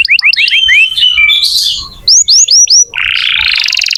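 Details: Canary singing to stimulate young or silent canaries: quick falling whistled slurs, a pure steady whistle, a series of rising swoops, then a long rough buzzy trill.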